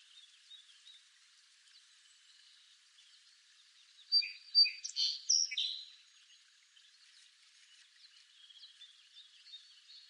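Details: Song sparrow from eastern North America singing one short, loud phrase of varied notes: sharp introductory chips, then a quick buzzy jumble lasting about two seconds. Faint, soft chirping from other birds continues before and after.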